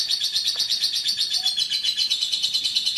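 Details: Lovebird from Central Java, a champion of local and national contests, in a short burst of dense, high, pulsing trill with quick rhythmic chattering throbs.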